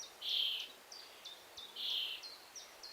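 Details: Common starling nestling begging at the nest hole for food from its parents, giving two long, hoarse, hissing rasps, backed by a series of short, high, thin chirps.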